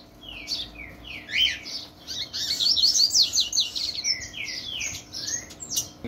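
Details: Captive-bred Yellow-bellied seedeater, a Bahia variety, from a breeder in Cambé, Paraná, Brazil, in courtship display, sings a rapid continuous run of sweet whistles, slurred notes and buzzy trills, high and varied, over a faint hum.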